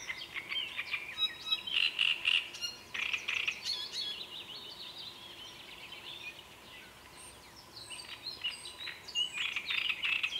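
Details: Great reed warbler song: loud, harsh, croaking phrases of repeated grating notes, several a second, broken by brief pauses; a faint steady hum underneath.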